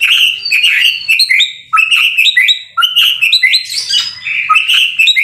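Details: Murai batu, or white-rumped shama, singing energetically: short repeated phrases of ringing whistles and clipped chips, each lasting about a second, delivered back to back with a few abrupt breaks.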